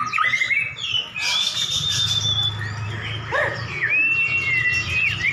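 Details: White-rumped shama duel between two prize birds: long sustained high whistles and rising slurs over a noisy background, with a short burst of broadband rustle and a low hum.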